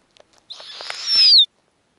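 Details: Snowy owl at its nest with hatching eggs and young nestlings, where the female feeds the owlets and makes specific sounds when offering food: a harsh, hissing, swelling screech of about a second ending in a thin falling whistle, after faint clicks.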